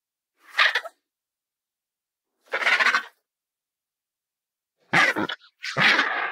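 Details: Colourful parrot giving rough, grating screeches, two single bursts followed by a quick doubled pair of harsher squawks near the end.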